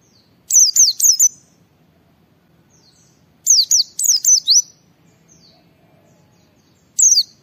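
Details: White-eye in full song, used to prompt other white-eyes to sing: three bursts of high, thin, downslurred chirps, delivered as quick clusters of three to five notes with silent gaps between, over a faint low hum.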